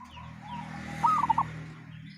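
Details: Unusual call of a local wild zebra dove: a single short run of four or five quick, rounded mid-pitched coos against a steady low background hum.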